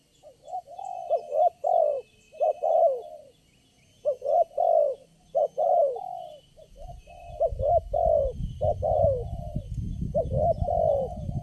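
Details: A spotted dove, the only wild bird calling at a lure-trapping spot, coos in rhythmic groups of three to four mellow, slightly downslurred notes. Rumbling low noise fills the second half.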